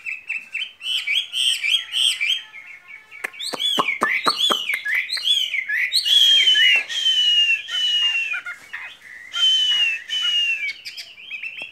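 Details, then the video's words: Skylark kept in a cage, singing a long varied song: rolling whistled phrases, then a burst of dry clicks, then drawn-out high whistles that slide downward, repeated several times. "Chim quý ở lồng son ca bản tình ca mùa xuân"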